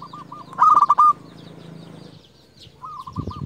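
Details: Local zebra dove calling to challenge rivals. Soft coos lead into a loud rattling pulsed burst, then a low droning hum in the background, with a rolling coo phrase at the end.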